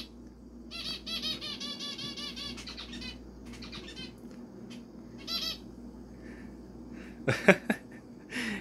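A male zebra finch gives rapid nasal beeping calls, trading them back and forth with a person's beeps.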